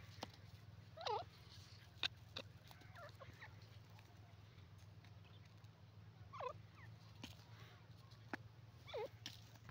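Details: Teetar, a francolin or partridge, scratching and playing in soil; three brief hooked notes, each sliding down then back up, spaced several seconds apart, with scattered clicks, faint chatter and a constant low hum behind.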